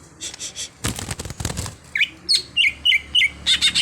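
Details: Greater green leafbird (cucak hijau), an untrained bird being trained to sing freely: a short stretch of rustling noise, then repeated bright whistled notes that dip and rise, about three per second.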